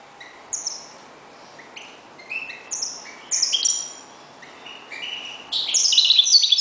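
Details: Caged European goldfinch kept as a reclamo bird. It gives scattered, sparse chirps and short twittered notes that build into a louder, fuller burst of jingling song at the end.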